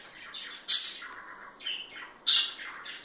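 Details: Parakeets being affectionate with each other chatter in a busy stream of high warbling notes, broken by two harsh, loud squawks about a second and a half apart.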